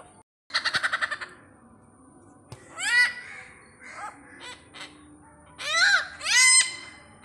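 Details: Visiting great hornbill in Pathanamthitta utters loud, harsh, downward-curving croaks in pairs, after a quick rattling run of pulses and a few softer notes.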